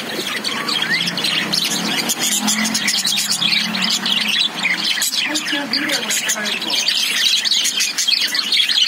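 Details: Caged lovebirds chattering together: a dense, unbroken mass of high, sharp chirps and squeaky twitters from many birds at once, with a low steady hum underneath.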